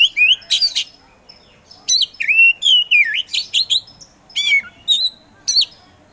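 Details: Oriental magpie-robin (kacer) kept as a songbird, delivering a busy mix of whistled slurs, wavering notes and sharp chips in rapid bursts, with scratchy high notes between phrases.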